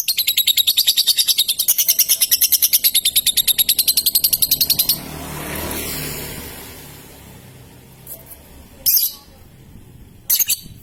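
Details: Young lovebird delivering a long ngekek chattering trill: about five seconds of fast, even, high metallic pulses, then quiet hiss with two brief shrill chirps near the end.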